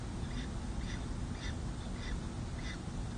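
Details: Peregrine falcons at a nest on San Jose City Hall on 2 May 2024, as the second chick hatches and the adult male meets the chicks at their first feeding. Thin, faint calls repeat about twice per second over loud steady hiss.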